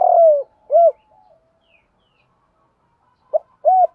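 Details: Low hollow spotted dove coos used for training captive doves: a long downward-sliding buzzy coo and an arched coo, a quiet pause, then a short note and another rounded coo.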